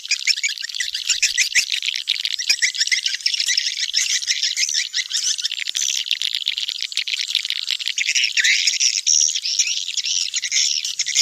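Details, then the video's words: Swiftlet lure sound for drawing birds in: many swiftlets twittering together, a thick wall of high buzzy chirps and squeaks with no pauses. "Suara Tarik Burung Walet"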